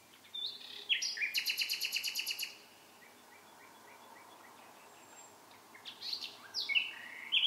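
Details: Bird singing at night: short high chirps, then a fast rattling trill of repeated notes lasting over a second, a long pause, and further sharp high phrases near the end.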